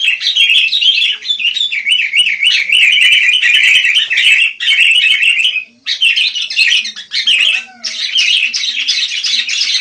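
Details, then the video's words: Wild sooty-headed bulbul chirping busily: a continuous, high, wavering warble of quick bubbly notes that runs almost unbroken, with brief pauses about two-thirds of the way through and a faint lower note beneath. "Rame Kicau Burung Kutilang"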